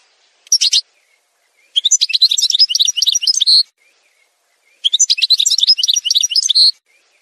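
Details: Algerian goldfinch in a song montage: one short chirp, then two long, liquid, rapidly twittering phrases of nearly two seconds each, separated by a short pause, all high and bright.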